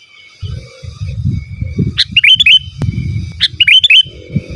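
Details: Sooty-headed bulbul song meant to lure wild birds and tutor kept birds: two short bubbly whistled phrases, each opening with a sharp note, over a steady faint hum and low rumbling noise.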